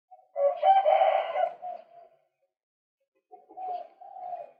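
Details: Lure recording of a male White-breasted waterhen. A long, loud, harsh croaking outburst of over a second tails away, followed by a pause and a shorter, softer grating call.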